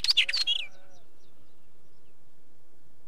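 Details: Quick harsh, crackling wheatear chatter with a falling whistled note, lasting about half a second before fading into quiet background hiss.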